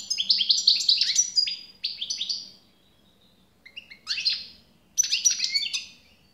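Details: European goldfinch song: bursts of fast, liquid twittering and buzzy high notes. Three phrases are separated by short pauses, and the last phrase begins with a sharp rising note.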